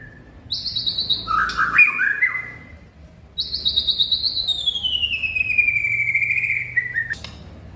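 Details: White-rumped shama in full song: a quick, fluttering high trill, then a tumbling run of lower notes, a pause, and a long, clear whistle that slides steadily downward before ending abruptly.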